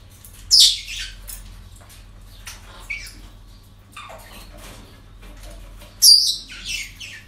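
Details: Harsh, high parrot squawks from a breeding centre on an ordinary day, two loud bursts several seconds apart with softer chatter in between over a low hum.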